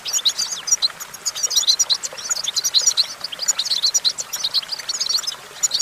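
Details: Goldfinch singing from a branch: rapid, bright twittering notes tumbling together in quick, jumbled phrases, nearly continuous with only short breaks.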